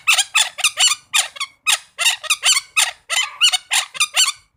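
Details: Red-breasted parakeet calling: harsh, raspy squawks given in twos and threes, repeated steadily about twice a second throughout.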